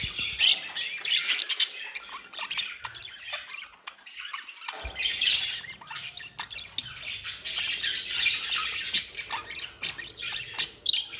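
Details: Pair of budgerigars in love, giving a steady stream of raspy, high chirps and scratchy squawks in dense bursts, some harsher peaks, with a quieter gap in the middle before the chatter swells again.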